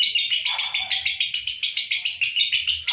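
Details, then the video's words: Two pairs of lovebirds singing in the nonstop 'konslet' style, with continuous shrill, buzzy chattering. Rapid pulses come about five per second without any pause, all high-pitched. "Bunyi Terus Tanpa Jeda Lovebird Konslet"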